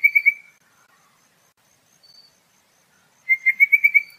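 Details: Pardalote giving a short, high, buzzy trill of quick pulsed notes, then a long silence broken by a faint note, then a second louder trill of about six pulses near the end.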